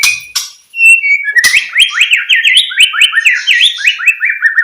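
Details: White-rumped shama song played to stimulate quiet shamas into singing: loud, rich whistled phrases, a short rising note then rapid repeated swooping slurred whistles, falling and rising in quick succession, with clicking notes; no other sounds.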